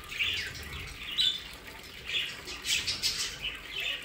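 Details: Budgerigars kept in an aviary play area near Den Haag, South Holland, Netherlands, chattering with short high chirps and squawks about once a second over a steady background hiss.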